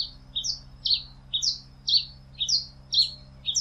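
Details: Pileated finch singing a lively run of paired high notes, each a quick buzzy chirp followed by a downslurred slide, repeated about twice per second against a quiet low hum.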